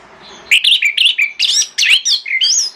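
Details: Orange-headed thrush in morning song that lures other thrushes to reply, a rapid string of clear whistled and warbled phrases, short notes jumping in pitch with brief pauses between.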